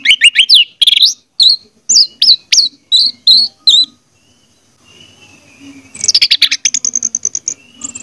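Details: Orange-headed thrush song played to prompt a mute bird to sing: a rapid series of high whistled chirps, then a pause and a rattling burst of quick notes.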